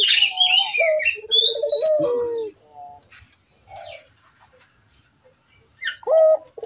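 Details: Collared dove in full voice, used to prompt other doves to call: one pulsed, then sustained low coo in the middle, framed by busy high chirping and twittering from small birds at the start and end.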